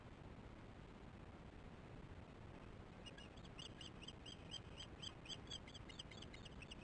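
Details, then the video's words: Osprey at a nest camera on 22 July 2015, 19:08, alarming during a bad feeding of the chicks; three seconds of background rush, then a rapid series of high, piercing chirps. "Not good feeding for chicks much alarm"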